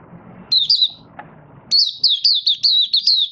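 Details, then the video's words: Malaysian Mata Puteh, or Oriental white-eye, not in form, giving opening song (buka sing): a short chirped phrase, then a long run of six or seven high, slurred tweeting notes, over low background rumble. "Malaysian Mata Puteh - Buka Sing"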